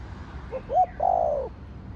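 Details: Single spotted dove phrase in the Thổ Đồng voice style: a faint short note, a sharper rising hoot, then a sustained, gravelly coo that falls away.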